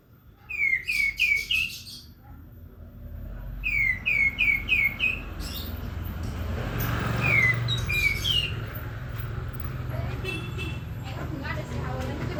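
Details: Prinia singing in lively bursts: quick series of four to six sharp, slurred whistled notes repeated several times, separated by pauses, over steady traffic-like rumble and background noise.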